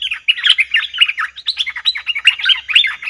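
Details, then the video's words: Cream-vented bulbul lure sound for trapping, from 02/11/2021: an unbroken stream of quick, bubbly, chirping notes, lively and jumbled, with no pauses. "Suara pikat merbah lekir"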